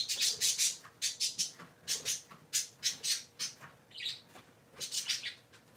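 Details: Dense, rapid chatter from three pet parakeets indoors on a Sunday morning: rasping chirps tumble in quick clusters almost without pause, with one brighter warbled note midway.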